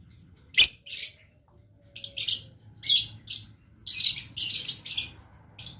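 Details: Blue lovebird in lively song: one sharp high click, then a series of shrill, scratchy chattering bursts that come faster and run together toward the end, with a faint low background hum.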